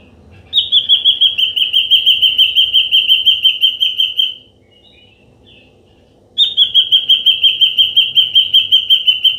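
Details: Ashy drongo song played as a trapping lure: a rapid, evenly repeated run of short whistled notes, slightly descending, lasting about four seconds, then a pause before a second identical run begins.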